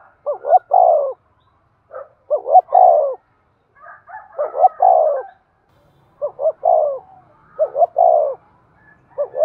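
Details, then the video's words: Spotted dove cooing eagerly in the 'thúc' style to rouse decoy birds: a run of five three-part phrases, two quick rising notes and a long falling coo, coming every one to two seconds. "tiếng cu gáy thúc sung dùng kích bổi tập mồi hiẹu quả nhất"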